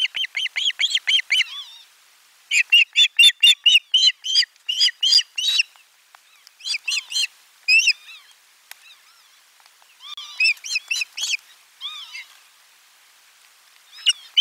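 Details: Osprey at nest camera 4 on 12 July 2022 during a lunchtime fish delivery: loud series of sharp, arched whistled chirps in rapid bursts, pausing briefly, then resuming with further excited runs of notes.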